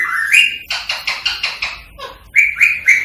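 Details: Rose-ringed parakeet calls used to encourage singing and mating: an opening rising whistle, a run of harsh rhythmic squawks, then three short upslurred whistles repeated about every quarter second.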